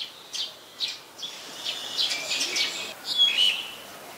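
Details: Black-collared starling, also called black-collared myna, recorded in Ubon Ratchathani, Thailand, on 26 March 2021. A series of harsh, buzzy notes comes roughly every half second, ending with a thin, clear whistle over a hissing background.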